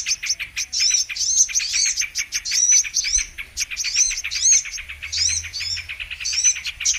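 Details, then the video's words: Lure recording of brown-throated sunbird, known locally as kolibri manggar or kolibri kelapa, used for trapping: rapid high-pitched twittering of clipped chirps broken by brief pauses, with piercing slurred whistles every second or so. "Mp3 Pikat Burung kolibri MANGGAR/KOLIBRI KELAPA"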